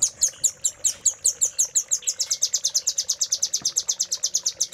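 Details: Tutor song of a velvet-fronted nuthatch for training caged birds: steady, very high repeated chip notes that quicken midway into a tight, ringing series continuing to the end.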